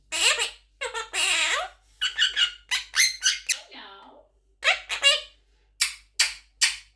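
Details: Quaker parrot aged 11 months mimicking speech: rapid runs of choppy, word-like syllables in quick succession, a longer drawn phrase early on, and a string of short clipped bursts toward the end.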